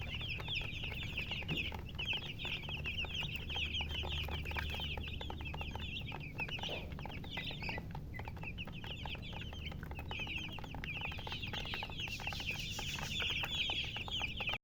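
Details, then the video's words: A crowd of baby chicks chirping nonstop, thin high peeps tumbling over one another in a dense stream, briefly thinning near the middle, with a constant low background hum. "Baby "Chicks Chirping""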